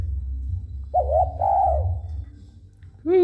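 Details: Spotted dove singing when approached: one phrase of a short coo and a longer arched coo, followed by a sharp human whistle, over low hum.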